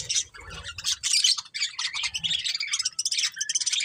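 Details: Budgerigars chirping: a continuous busy stream of high warbled chirps and scratchy chatter, with short notes overlapping steadily throughout.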